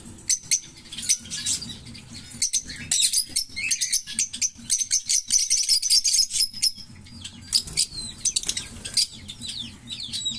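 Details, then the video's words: Two green Fischer's lovebirds singing, a type known for long songs: a long stream of shrill, scratchy chirps and clicks, thickening into a dense twittering run in the middle before thinning to sparse squeaks. "Lovebird Singing & Chirping Sounds - Green Fischer Pair"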